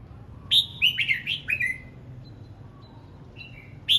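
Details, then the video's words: A red-whiskered bulbul practises its song in the morning, a lively run of five quick, loud whistled notes, each sliding down, followed by soft thin notes and a final bright phrase. "Chim hót sáng hay | Chào mào hót luyện giọng 12 phút cực hay"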